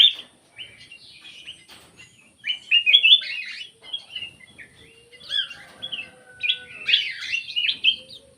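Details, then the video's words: Black-crested bulbul lure call with rapid, cheerful warbled phrases of rising and falling whistles in two main bursts, plus a low steady hum-like tone in the background. "SUARA PIKAT KUTILANG EMAS"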